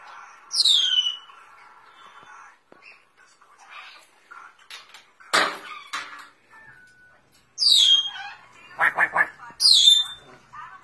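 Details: Timneh African grey parrot kept as a pet, imitating duck quacks when seeking attention or nervous: harsh buzzy quack-like bursts mixed with sharp high whistles that sweep steeply downward, repeated irregularly with short quiet gaps indoors.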